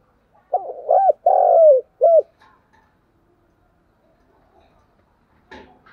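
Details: Decoy spotted dove giving a vigorous 'thúc gù sung' coo: one low, hoarse phrase of a short stuttered note, a long drawn coo and a clipped final note, then near silence with faint distant chirps and a brief knock.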